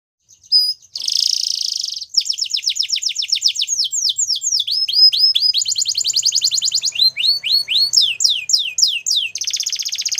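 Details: Belgian canary singing: a brief buzzy roll opens, then long series of fast downslurred whistled notes, a dense rapid trill near the middle, and a buzzy rattling roll to close; no other sounds.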